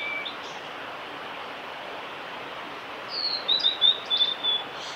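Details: Singing male blue-and-white flycatcher, Lake Miyagase, Kanazawa forest road, Japan, 5 May 2018. After three seconds of steady hiss, a rapid burst of high, pure whistled notes with a slight downward slur, about seven notes.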